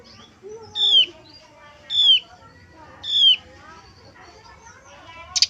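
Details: Male brown-chested jungle flycatcher, heard in a lure recording meant to excite and provoke other males. A high whistled note that falls in pitch is repeated three times, about once a second, over softer lower warbling.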